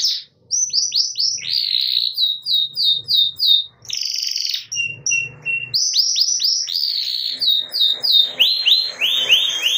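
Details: Canaries, possibly including a female calling to males, sing in rapid, bright trills and repeated whistled notes, answering each other back and forth; Belgian canary.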